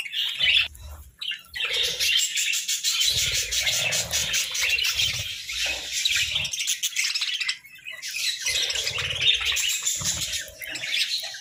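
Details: Budgerigars sunbathing together, pouring out a long, steady stream of buzzy, rapid chirping chatter with a couple of brief gaps and dull low thuds.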